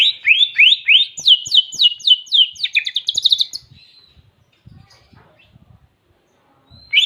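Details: Greater green leafbird song filled with canary-like phrases: a rapid, bright series of about twelve sharp down-slurred chirps climbing higher, ending with a brief whistle, then near quiet with faint ticking.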